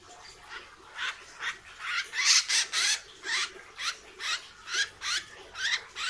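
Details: Hair-crested drongo kept as a cage bird and being trained, caught from the forest: loud harsh buzzy bursts repeated about twice a second, some with a brief whistled slur in the middle.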